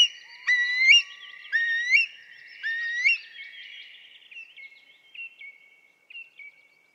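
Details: Eurasian curlew calling with long rising whistles that end in a sharp upturn, three loud ones followed by fainter, shorter repeats that fade away.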